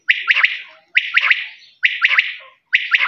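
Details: Desi quail repeating a crisp, clipped three-note phrase, each burst of quick rising notes followed by a short trailing buzz, given steadily about every 0.9 seconds.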